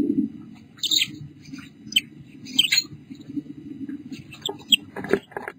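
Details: A female pink Bourke's parrot with her two babies, 8 July 2014 at 5:43 pm: thin, high squeaky chirps in short scattered bursts, roughly one or two a second, over a steady low indoor hum.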